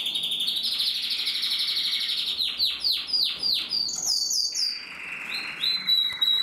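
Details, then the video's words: Male canary from the 2021 breeding year singing continuously: high sustained whistled tones shift into rapid descending sweeps, then bright chattering trills and a lower rolling trill, over a faint background hiss. "Kanarienvogel singt"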